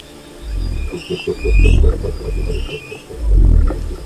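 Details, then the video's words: Resonant low booms from a wild cassowary, three swelling pulses over four seconds, accompanied by rapid pulsed throbbing and soft high whistles. "O Canto do Casuar Selvagem"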